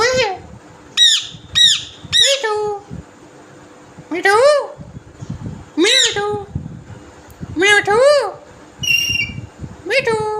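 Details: Talking green parrot: short bright upward-sweeping notes, then longer arched voice-like phrases recurring every couple of seconds, some ending in squeaky high tones, over a faint low rumble.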